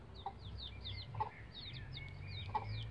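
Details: Several bantam Rhode Island Red chicks, roughly 11 days old, using a chicken ladder, peep steadily in high, thin, downward-sliding notes, with a few lower soft clicks and a low background hum.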